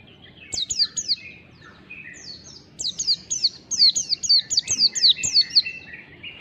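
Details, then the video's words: Mountain white-eye in long standard wild-type song, described as fast and lively: rapid bursts of high thin downslurred notes, about two per second, in clustered phrases with short gaps, over faint low background noise. "pancingan pleci ngalas standar panjang PLECI MALAS BUNYI CEPAT GACOR"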